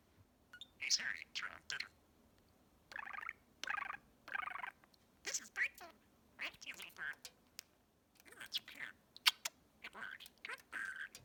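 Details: Male pet budgerigar chattering away in the evening indoors, repeating phrases heard from the people around him. Quick bursts of scratchy, warbling mimicked speech come in uneven clusters separated by short pauses.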